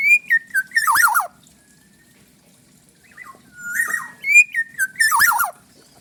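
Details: Bali black-naped oriole giving repeated liquid whistled phrases, each a few bouncing notes sliding into a rolling downward warble, sung twice with a pause between.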